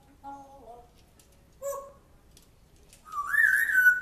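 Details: African grey parrot kept as a pet, believed to talk about a dog from its previous home; short low whistled notes, then a rising, wavering whistle ending loud and bright, indoors in a small room.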